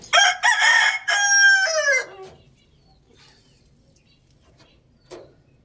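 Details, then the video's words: Rooster crowing loudly: a single harsh, rich crow lasting about two seconds, opening in two short bursts and then a long held note that falls away at the end, followed by near silence and one brief knock. "Adorable Rooster Crowing Loudly | Amazing Rooster Crowing Sound Effect"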